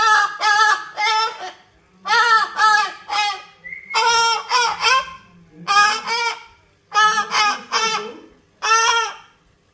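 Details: Cockatoo talking: a run of croaky, honking speech-like syllables in quick clusters of two to four, with brief gaps, loud and close in a small room.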